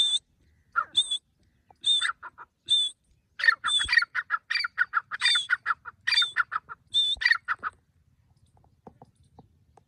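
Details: Grey francolin, a recording used for hunting: a few high shrill notes build into a fast run of harsh, clucking phrases lasting about four seconds, then quiet.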